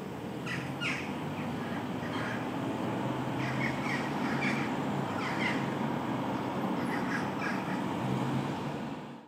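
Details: Several jackdaws in a tree, including a young jackdaw about 4 months old, on 8 August, give short, sharp 'tchak' calls in quick, irregular bursts over a steady roar of wind or distant traffic.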